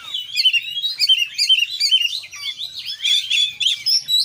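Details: Oriental magpie-robin in full active song, 'konslet' style rich in fillers: continuous warbling of wavering whistled notes and twittering runs, rapid and unbroken, with a few buzzier phrases near the end.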